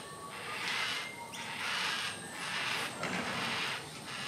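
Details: Yellow-tailed black cockatoo young in a tree while its mother feeds it macadamia nuts, around Sydney: rhythmic creaky, rasping bursts roughly every second, broad and scratchy, over a quiet outdoor background.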